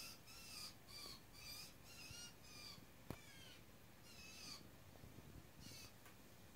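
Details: Young blue jay fledglings fed by adults in a Newfoundland back yard, screaming as they hop about; repeated harsh, buzzy calls with layered harmonics sound roughly every half second, with one sharp click partway through.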